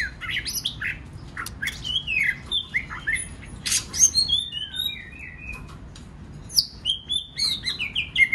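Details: White-rumped shama training song to draw out other birds' singing: varied whistles rising and falling, clipped harsh notes and bright chips in an irregular, constantly changing sequence.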